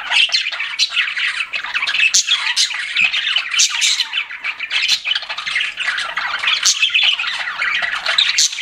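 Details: Pet budgies chirping indoors, a dense continuous chatter of buzzy, scratchy warbles and sharp squawks overlapping without pause, several birds calling at once.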